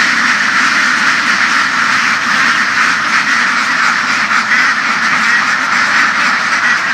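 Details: Flock of laying ducks roaming open fields in western Vietnam; constant, rough chorus of many quacks blending into one steady hiss-like roar throughout.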